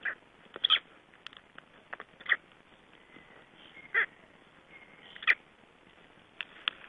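Black stork chicks calling from inside their eggs: brief, squeaky peeps about every one to two seconds, with faint scratchy taps in between.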